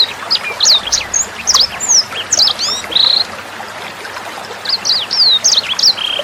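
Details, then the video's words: Sanger bird singing on a tutor recording for caged songbirds. Bright, quick chirps and slurred whistles come in a busy burst, pause about a second amid trickling water, then resume. "SUARA MASTERAN BURUNG SANGER NEMBAK JERNIH"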